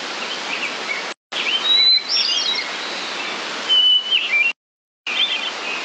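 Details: Hermit Thrush phrases: a rapid flurry of bright, warbling flute-like notes, then a long pure whistle dropping into a falling run, behind a steady hiss with two short silent gaps.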